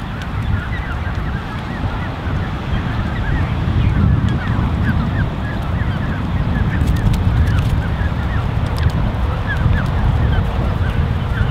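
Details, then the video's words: Canada goose creche of about 34 goslings with two adults, June 2015: scattered high peeps pour out steadily for several seconds beneath loud low rumbling and occasional sharp clicks. "Peeping Canada Goose Creche (An Army of 30+ Goslings)"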